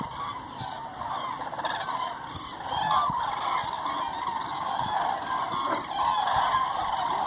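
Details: Common cranes on a roost flight in Hortobagy National Park, Hungary, 2 November 2016, with tens of thousands present in autumn; a dense continuous chorus of overlapping trumpeting calls from a large flock, a steady wall of sound without pauses.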